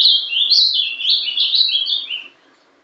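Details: A single strong Paraná-style phrase from a young captive ultramarine grosbeak born December 2012: about two seconds of rich warbled whistles stepping up and down, fading to quiet.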